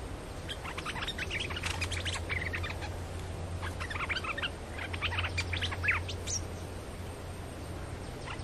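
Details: Lively caged bulbul used as a lure bird, giving scattered quick chirps and short whistled phrases at varied pitch over a steady low background hum.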